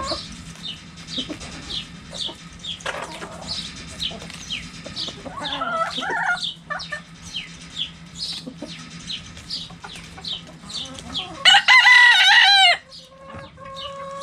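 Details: Backyard hens and roosters around a cabbage: scattered clucks and a constant stream of high chirps, then a loud rooster crow that flares and fans out before fading into soft clucks.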